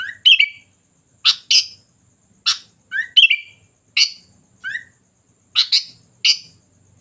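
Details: Sooty-headed bulbul calling steadily over seven seconds. Short rising whistles and brief warbled phrases alternate with harsh, scratchy double calls at irregular intervals.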